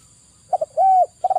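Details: Brief zebra dove song fragment, for stressed non-singing doves: two clipped notes, then a sustained mellow arched coo, followed by the start of a rapid stuttered series.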